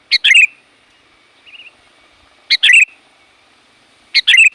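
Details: Loud, variable sooty-headed bulbul calls aimed at attracting wild birds: three quick bubbly phrases, a clipped chirp then a liquid tumbling flourish, spaced about two seconds apart, with a soft quieter chirp between the first two.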